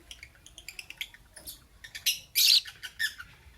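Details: Lovebird chirping in the morning: a rapid series of thin high ticking chirps building to a loud harsh squawk-like burst near 2.5 seconds, followed by a few more chirps.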